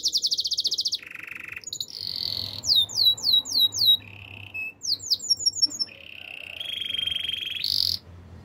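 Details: Canary singing in the wild, changing tours rapidly: a high buzzy trill, a lower rattle, sliding whistled notes in quick series, a short low buzz, and long rolling trills at two pitches.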